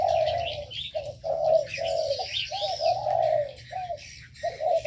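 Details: Ornamental birds in an aviary: a low, hoarse coo repeats in steady phrases with short gaps, over a busy layer of high chirps and twitters from smaller birds.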